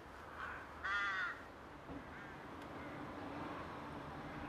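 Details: A single loud, rasping caw from a rook in a rookery during courtship dancing, preceded by a fainter call and followed by murmuring colony noise.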